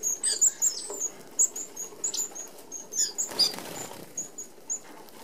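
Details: Flock of Red-browed finches at an open aviary feeder in Australia; high, sibilant short notes scattered among a busy whir of wings and pattering, thinning out toward the end.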